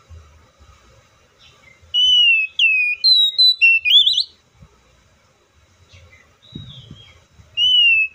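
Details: Oriental magpie-robin sings a loud phrase of sliding whistles and a rising warble, followed by soft scattered notes and a dull knock before the next whistled phrase begins.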